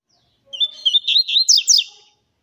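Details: Double-collared seedeater warming up its song: a short whistled phrase near one pitch that breaks into a rapid series of bright, sliding, buzzy-edged notes, about eight pulses in under two seconds.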